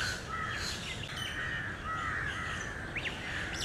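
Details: Crows fed grains by a man at Lalbagh Park in Bangalore, Karnataka: scattered nasal caws and short calls from several birds against a constant noisy hiss.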